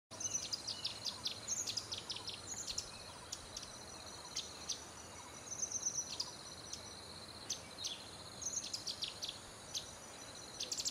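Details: Male Orange-bellied Leafbird (Chloropsis hardwickii) mating call, perched still in Awana sub-montane forest, Pahang, 6 March 2011, before sunrise: bright, high chirps and short twittered phrases in quick bursts over a steady high insect drone.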